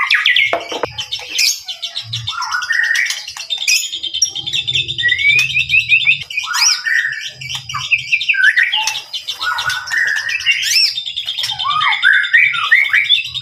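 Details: Energetic white-rumped shama song, a dense stream of high chattering trills mixed with clear down-slurred whistles, continuous for over thirteen seconds with faint low rumbling beneath.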